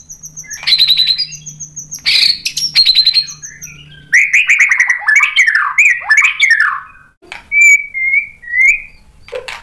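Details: White-rumped shama singing to provoke a rival into song: very high thin whistles and buzzy trills, then a tumbling cascade of varied warbled notes and a few long clear whistles after a short silence.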